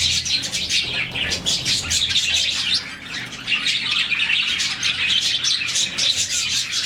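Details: A budgie colony of around forty birds chirping contentedly in the morning; constant chattering twitters mixed with a few sharper squawky notes, briefly quieter near the middle before the chorus builds again.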